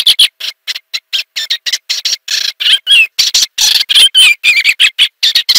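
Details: Eastern olivaceous warbler pouring out a quick, uneven warble of scratchy chirps and short rising and falling whistles, nearly without pause.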